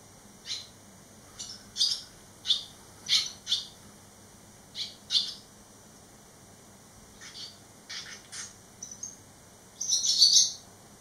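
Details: Three young barn swallows eleven days after fledging: crisp high chirps in loose pairs and single notes, a lull, then softer calls and a final louder twittering flurry, with a faint electrical hum.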